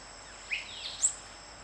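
Spot-crowned euphonia giving two brief high notes, a buzzy slurred note followed by a sharp, very high chip, over a soft background hiss.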